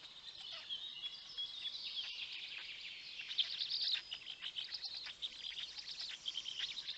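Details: Wild black stork nest in Poland's Notecka Forest, early morning of 19 May 2020: a parent feeds its chicks. Squeaky chirps pile up in a thick, busy chorus, swelling in the middle and turning into pulsing bursts toward the end.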